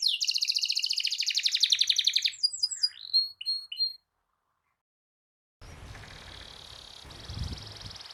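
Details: Canary singing a long rolled trill to provoke other canaries: a dense fast buzzing roll, a few sharp chips and whistles, then a pause followed by faint background hiss and a low rumble.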